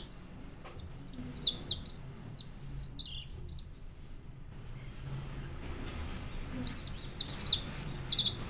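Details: European goldfinch with white plumage in song, high tinkling twitters and buzzy notes delivered in rapid bursts, a short pause, then another lively twittering phrase.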